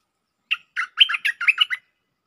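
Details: Bulbul lure song in the 'Chao Bank' style with doubled notes: a quick phrase of seven rich, warbled notes, rising and falling, closely spaced over about 1.3 seconds, with a quiet background.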